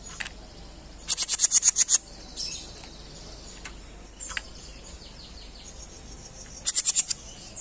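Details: Jenggot singing in a masteran training recording: a quick, shrill, high-pitched series of about eight notes, then a buzzy note and scattered thin chips, ending in another brief rapid burst over background hiss.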